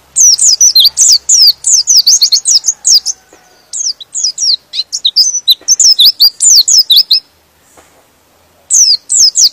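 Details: Long, almost unbroken stream of shrill, fast down-slurred twitters from a white-eye, pausing briefly near the end before resuming. The song is said to provoke other white-eyes into vigorous singing.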